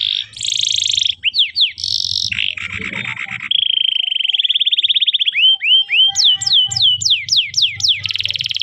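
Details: Training recording of canary song for young birds: varied sections of buzzy sustained tones, a rattling phrase, a long rolling trill, and repeated sharp down-slurred whistles at about four per second.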